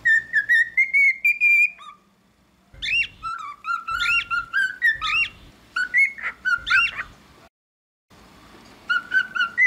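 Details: Singing cockatiel: a long steady whistle rising slightly, then choppy rising and falling whistles with harsh chirps, brief pauses between phrases.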